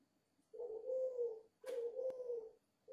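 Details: Five-month-old dove cooing with spirit: two low, drawn-out hollow coos, each lasting about a second, separated by a short pause, with a faint click between them in a quiet setting.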